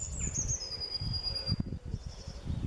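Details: A Blue Tit sings in the UK: a few very high, thin whistled notes dropping into a long, fine, high trill, over a man's voice and low rumble.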